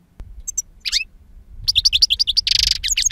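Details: Two-year-old European goldfinch with strong timbre in silvestre song; a few scattered chirps, then a rapid series of bright repeated notes followed by a harsh buzzy burst and more twitters.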